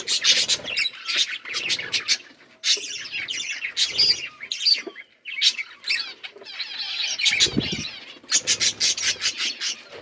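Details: Several budgerigars kept for breeding, chattering in bursts: high scratchy warbles and sharp chirps come in clusters with short gaps, plus a few soft low flutters.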